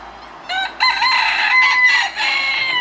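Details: Rooster crowing, a strong harmonic cock-a-doodle-doo that steps up after a short opening note, then holds a long, slightly wavering tone for about two seconds.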